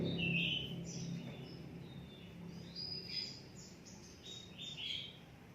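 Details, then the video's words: Caged oriental magpie-robin being readied for a songbird contest, singing scattered high whistled notes and short sweeping phrases, some slurred and some clipped, fairly quiet over a steady low hum and background noise. "Suara Burung Kacer Siap Gantang"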